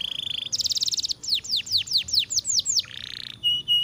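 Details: Canary song: a fast trill, a burst of high buzzy notes, a series of sharp downslurred whistles repeated about every quarter second, then a lower buzzy trill and short clear whistles.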